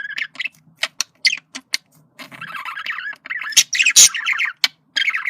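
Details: Male budgerigar communication: short whistled chirps and clicks, then a stretch of wavering warble and loud squawks, ending with a whistled phrase.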